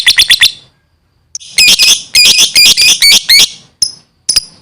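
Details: Lovebird in lively gacor song: a quick run of shrill chirps, a short silence, then loud harsh chattering bursts of squeaky notes, ending in a few isolated high, piercing tweets.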